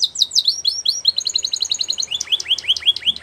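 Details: Training song of a canary for young canaries. Quick descending whistles lead into a rapid rattle of clipped high notes, then a new tour of looping upswept slurs repeated in a lively, rolling rhythm.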